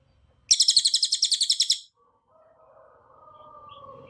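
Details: Rapid high-pitched chattering trill from a cililin, a dense burst used to train other birds, lasting just over a second before silence and a faint low drawn-out hum in the background.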